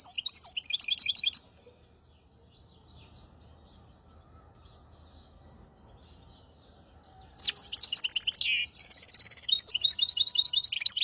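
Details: Bursts of fast, high twittering song from a hybrid finch used to teach goldfinches and canaries, separated by a long quiet gap; the second burst includes a buzzy sustained trill and rapid repeated notes.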